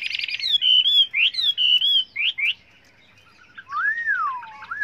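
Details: Chinese hwamei delivering a many-voiced training song: a buzzy burst, then clear, pure whistles slurring up and down in short phrases, a pause, and one long, falling, looping whistle.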